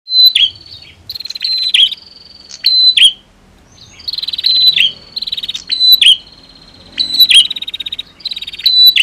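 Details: Female and male prinias calling against each other, used to stir a silent bird into singing: sharp high notes sliding down, each pair followed by a thin whistled trill, in three bursts separated by short pauses.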